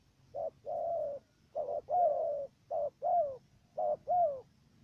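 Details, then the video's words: Decoy dove from Cà Mau, Vietnam, used to lure doves into a trap, coos stutteringly: short opening note, then a longer sliding coo, four pairs spaced about 1.2 seconds apart. "Bổi thổ gù cà lăm tiếng đầu"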